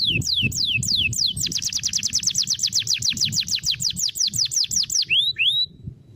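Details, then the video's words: Singing canary with a 'cengkok mewah' ornate style: a few sharp falling whistles, a long rapid trill of repeated sweeping notes, then two rising upslurred whistles before falling quiet. A low rumbling hum runs underneath. "Kenari gacor cengkok mewah"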